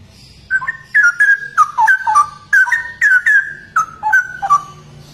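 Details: Rare straw-headed bulbul, known locally as cucak rowo, in a continuous five-second stream of liquid, rolling whistles that rise and fall in pitch.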